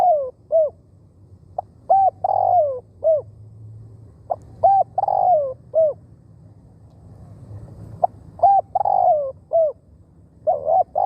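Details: Spotted dove working as a decoy for wild doves, repeating a rhythmic coo: paired short arched notes, a long rough falling coo, then a closing hooked note, four phrases over a steady low drone.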